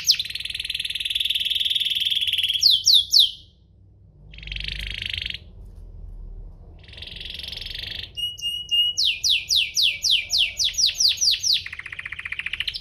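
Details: Canary song meant to provoke other canaries to sing: long rattling tours and buzzy held notes broken by short pauses, then a run of fast sharp downslurred notes repeated several times a second.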